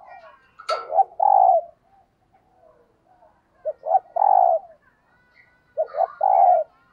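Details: Spotted dove decoy in a cage, cooing in the 'thúc gù' style used to provoke wild doves. It gives three phrases of quick double hoots ending in a long mellow coo, spaced several seconds apart, with a sharp click at the start.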